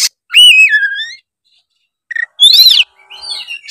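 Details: Oriental magpie-robin in fighting, rival-provoking song; loud, clear whistled phrases, a long slurred note falling then rising, a short pause, then a bright rising-falling whistle and thinner high notes.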